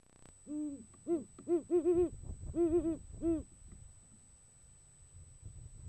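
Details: A male great horned owl in January courting a female gives a stuttering run of eight or nine deep, soft hoots over about three seconds, some in quick doubled pairs, against a quiet background.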